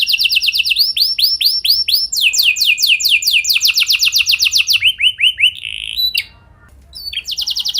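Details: Canary singing a long rolling song meant to prompt other canaries to sing; rapid series of bright rising whistled notes in distinct trilled tours, a short break, then the rolling resumes.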